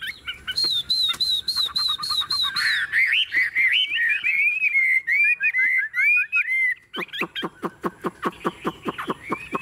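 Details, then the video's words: Tame caged Chinese hwamei pours out steady repeated high whistles, shifts into descending slurred phrases, then ends in a rapid burst of sharp clipped notes. "Họa mi thuần bóng bộ đẹp - Hót như máy"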